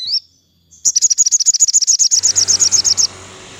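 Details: Crimson sunbird singing in the afternoon, used to stimulate captive birds: a brief high chirp, then after a pause a fast run of about fourteen sharp, very high ticking notes lasting two seconds, ending abruptly into soft hiss.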